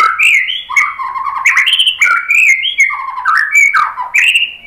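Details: White-rumped shama pouring out a dense, continuous song of rich stepped whistles and slurred notes, rising and falling rapidly, with sharp accents roughly every half second.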